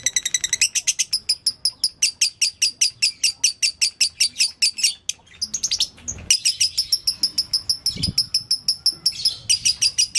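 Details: Lovebird giving gacor konslet song as a master for training other lovebirds; sharp, high chirping notes in fast regular bursts, interrupted by a few short pauses and brief softer rustling sounds.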